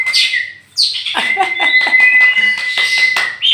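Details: Tame champion oriental magpie-robin, Meulaboh, Aceh, loose before caging: one long steady whistle held for nearly three seconds beneath scratchy chatter and clicks, after a short gap.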